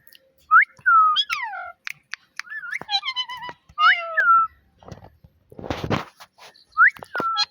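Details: Pet parrot producing mimicked talk: clear whistled notes that rise then fall, harmonic descending syllables, a noisy rustling burst midway, and a final rising-falling whistle.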